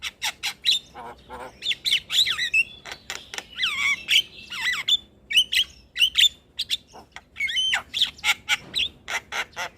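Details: Starling song used as therapy to prompt silent caged starlings to start singing: a busy, jumbled run of harsh squawks and rasps mixed with short whistled notes and sweeping slurred phrases, delivered in quick bursts with brief pauses.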